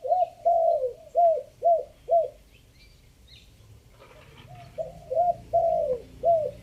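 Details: Decoy spotted dove from Chiang Mai, Thailand, singing its three-note 'kuk' coo: two phrases of soft, rounded, downslurred hoots separated by a quiet gap, each phrase with one longer note among short ones.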